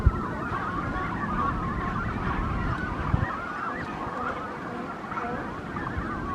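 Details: A dense chorus of nesting Brandt's cormorants at a colony in Monterey on a morning walk, overlapping nasal, honking calls with no pause, over a steady low roar of surf and wind.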